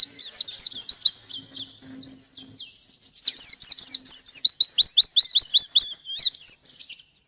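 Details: White-eye singing actively while seeking a rival: rapid series of sharp, high descending chirps, a softer warbled stretch, then a loud fast burst of slurred notes near the end.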